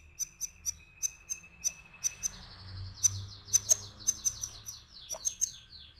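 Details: Canary in full rolling song, played as a quick lure to set other canaries singing: sharp high chirps repeat about four times a second, then a fast, shimmering high trill rolls on continuously from mid-clip.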